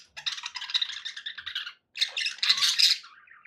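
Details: Pet budgies in a room give a chattering run of rapid, rattling notes, fall silent briefly, then burst into a louder shrill warble ending in a soft falling whistle.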